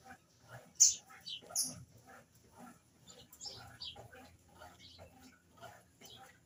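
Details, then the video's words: Spanish canary singing after waking up happy: sparse, sharp high chirps and short metallic notes, the loudest bursts near the start, then softer scattered notes with faint clicks and low background rumble. "Canário Thor espanholzinho, acordou feliz."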